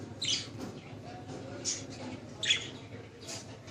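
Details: Budgerigars kept as pets in Lahore, Pakistan: four short, scratchy high chirps spaced roughly a second apart over a faint low background hum.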